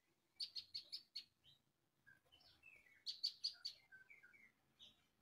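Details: Brown-throated sunbird song, a compilation of konin 'tembakan' phrases used as a lure to make other sunbirds sing. Two bursts of five high, sharp chirps a second apart, separated by scattered lower whistled notes, fairly faint.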